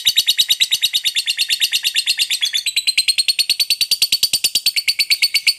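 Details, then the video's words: Long ngekek chatter of a lovebird, aimed at provoking other lovebirds to answer: a dense, rapid stream of shrill, buzzy notes, about three each second, shifting slightly higher in pitch partway through and never pausing. "Suara Burung Lovebird Ngekek Panjang Paling CEPAT Naikkan Emosi, Baru Dengar SEBENTAR Langsung NYAUT"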